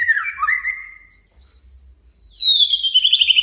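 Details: A male white-rumped shama sings to challenge and provoke a rival. A warbling whistled phrase with a dip is followed by a thin high whistle, then a bright descending whistled trill.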